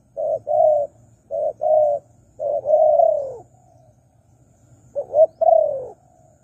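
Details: Spotted dove used as a lure for wild doves: paired low coos becoming uneven, one long swelling, wavering coo, then a quieter gap and a final rising and falling pair, with a faint hum behind.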